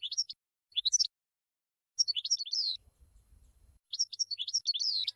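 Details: Goldfinch maestro recording for teaching birds song: short phrases of high, slurred twittering notes ending in drawn-out buzzy tones, separated by pauses. A faint low rumble is heard between phrases.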